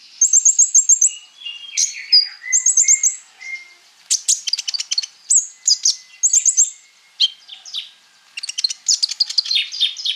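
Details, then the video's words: Energetic konin song with a full repertoire, a master recording for training sunbirds: quick high trills alternating with thin, falling whistles and dense clusters of sharp ticking notes. "KONIN GACOR FULL ISIAN MENTAL BAJA COCOK BUAT PANCINGAN KOLIBRI NINJA PASTI NYAUT IKUT BUKA PARUH !!"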